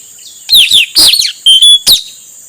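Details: Male Asian fairy-bluebird (puling, or nuritanau) singing, used as a lure for wild birds: high, sharp whistled notes, then a loud burst, a level sustained whistle and a final quick bright note. The background is otherwise quiet.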